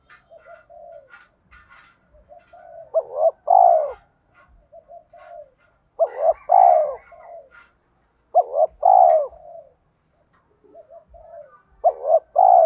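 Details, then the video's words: Spotted dove in 'thổ' voice style, challenge call to provoke fighting mixed with calling song: low repeated coos in bursts, each a short rising-falling note then a longer descending purr, groups separated by pauses, faint chirps between. "cu gáy giọng thổ pha thúc đấu + gáy gọi, tiếng thúc đấu rút bổi căng đét"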